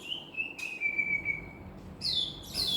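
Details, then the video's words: Common hill myna that talks, saying assalamualaikum and coughing like a human; a long level whistle, then a break and higher, falling whistled notes, clear over low background hiss. "BEO ASSALAMU'ALAIKUM, BICARA, BATUK SEPERTI SUARA MANUSIA"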